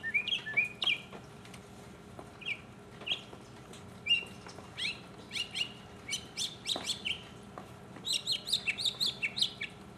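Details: A single mockingbird, recorded in 2015, runs through varied phrases: low slurred chirps, then repeated whistled notes, and finally a dense burst of high, rapid, scratchy syllables, over a faint steady hum.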